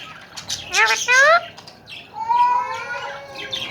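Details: Tame Alexandrine parakeets kept in Pakistan, said to talk: two loud, wavering squawks with rich stacked harmonics, then a longer, smoother, speech-like drawn-out call with slowly shifting tones, over a low background hiss.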